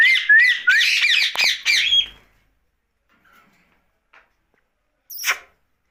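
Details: Rose-ringed parakeet, a pet talking at night: about two seconds of quick chattering syllables with short whistled slurs, then near silence broken by a faint tick and one brief harsh burst.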